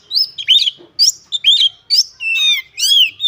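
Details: Oriental magpie-robin (kacer) singing fiercely while ngobra displaying, unloading its repertoire of imitations (isian): quick successive phrases of bright slurred whistles, rising and falling sweeps and buzzy notes, about two phrases each second.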